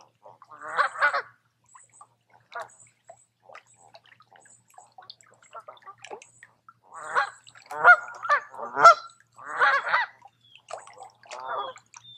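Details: Geese by a lake in the woods at Tamiment, Pennsylvania, in summer: loud nasal honks, a pair near the start, then a dense run of repeated honks in the second half, roughly one per second.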